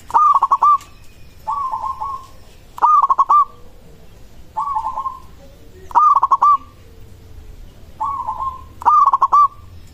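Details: Song of a local zebra dove, used to prompt other doves to respond: seven rolling, stuttering coo phrases at a steady pace, one every second and a half, loud and soft versions taking turns.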